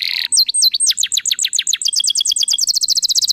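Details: Lively canary song meant to coax other canaries into singing: a short buzz, then falling whistled slurs that speed up into a rapid, even rattle of bright high notes.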